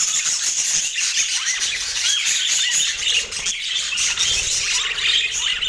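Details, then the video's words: Pet rainbow budgies feeding on apple produce quick, high twittering chirps and short rising squeaks over a continuous warbling background, with soft low knocks. "Relaxing Budgie Sounds"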